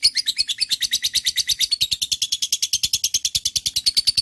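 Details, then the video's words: Unbroken stream of rapid, rasping chirps from a lovebird, evenly pulsed at roughly three notes per second and sustained throughout at a steady loudness. "Love bird - auto nyaut"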